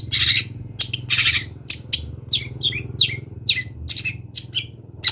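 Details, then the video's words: Long-tailed shrike of local Kendal stock, full song with mimicry: harsh buzzy bursts at the start, then a run of quick descending whistled notes, some doubled, with a low background hum. "MASTERAN CENDET TROTOL BELAJAR BUNYI"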